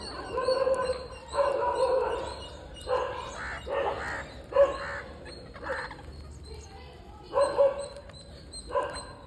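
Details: Parakeet begging as it is fed, loud raspy harmonic squawks in about eight separate bursts roughly one second apart, each burst short and nasal, over a low hum.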